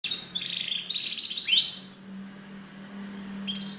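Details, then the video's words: Young canary singing in captivity, used as a lure to prompt chirping: rapid high twittering phrases with trills, a pause, then a fresh rising trill near the end, over a steady low electrical hum. "pancingan suara paud kenari agar mriwik"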